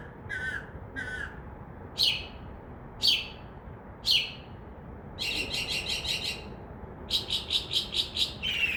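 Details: Northern mockingbird, probably male, singing at night from a tree outside a window, mimicking a crow's caw: two short whistled notes, three harsh caws a second apart, then quick rattling bursts in series.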